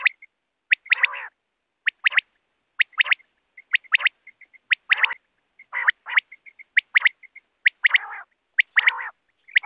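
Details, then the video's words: Wild quail used for net hunting, calling steadily. Crisp high notes come in groups of two or three, each followed by a short rough buzz, roughly every second, with soft pips between. "BATER Ki Awaz|Batair ki awaz 2024|Quail sound 2024|Quail shikar ki awaz|hunting Batera with net."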